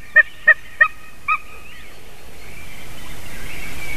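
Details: White-tailed eagle at 06:26 on 28 March 2019 giving four loud, barking yelps in quick succession, the last one weaker, then fading into faint background birdsong and a low hiss.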